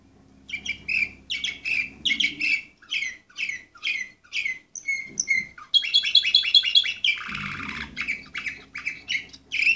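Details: Canary of Orpheus breed, number 24 from 2014, with a long series of quick chirped notes, a couple of level whistles, a buzzing fast trill, a harsh broad roll, then more chirps.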